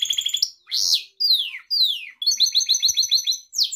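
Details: Pet Gloster canary singing: a fast high trill, then a harsh buzzy note and three long downward-sliding whistles, ending in a rapid chattering roll of repeated notes and a final rising whistle.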